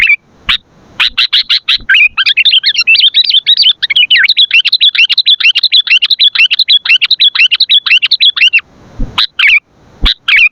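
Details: Sooty-headed bulbul recording for luring and training birds: a few sharp chirps, then a long fast rattling chatter of tumbling notes lasting about seven seconds, followed by more single chirps.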